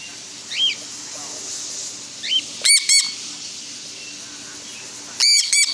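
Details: Free-flying cockatiels snacking on homegrown millet give loud, harsh, ringing calls in close pairs, with a couple of softer chirps between.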